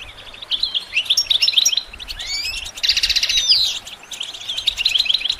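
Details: Training song of a goldfinch for other songbirds: lively bursts of liquid twitters and rising slurred notes, a buzzy rattling stretch in the middle, then quick chattering phrases resuming.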